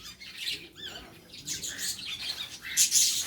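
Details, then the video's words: Birds being fed giving harsh, squawky chirps and short rising whistles in irregular clusters, several overlapping high calls, with a steady rustling noise underneath. "Feeding Birds | Birds Chirping"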